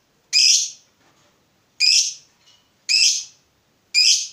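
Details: Fighter lovebird answering a rival with separate loud, harsh, high squawks, four short bursts spaced roughly one second apart, with silence between.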